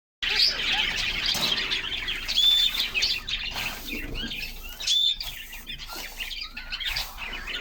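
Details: Several caged canaries singing in summer sunshine, recorded from inside their cage, with dense high twittering and chirps, short whistled notes, and soft fluttering and pattering as the birds hop about.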